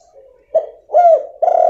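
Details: Spotted dove female call aimed at stimulating a silent male; a brief low coo, then a drawn-out, gently arched coo and the start of another strong note.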